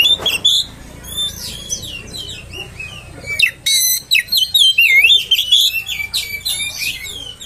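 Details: Oriental magpie-robin provocation song: scattered chirps at first, then a loud, dense stretch of rapid whistled trills and looping notes from the middle onward, tapering off toward the end.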